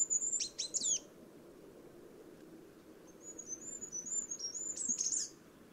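Goldcrest giving very high, thin notes: a quick burst of sharp tinkling calls, then a fast high-pitched cycling phrase ending in a flourish, over a low steady rumble.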